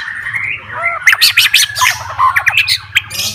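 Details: Caged white-rumped shama, a fighter male singing to provoke rivals: dense burst of harsh, buzzy notes and sharp chips over about three seconds, with a steady low hum beneath.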